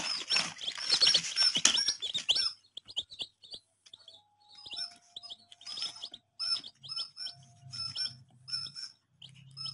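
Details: A group of baby chicks: after an opening of loud rustling and dense peeping, clear high descending chirps come in repeated groups, with a low hum near the end.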